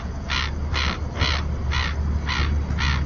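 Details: Harsh grating calls from common terns at the only Cantabrian colony, a floating nesting platform in the Bay of Santander, Spain, where pairs incubate. The calls come about twice a second in a steady series over a loud low hum.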